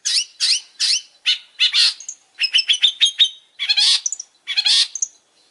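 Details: Long-tailed shrike singing hard: a series of harsh downslurred notes, then a rapid stuttering run of buzzy notes, rasping bursts and short high whistles.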